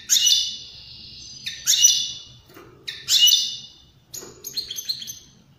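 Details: Repeated rasping wheezes from a European greenfinch, the song meant to stimulate other birds to sing and mate. Several buzzy notes come about every one and a half seconds, then a quick run of bright twittering chirps.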